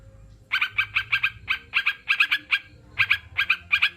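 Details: After a half-second of quiet, a sooty-headed bulbul launches into short, punchy notes grouped in pairs and triplets, with a brief gap near three seconds.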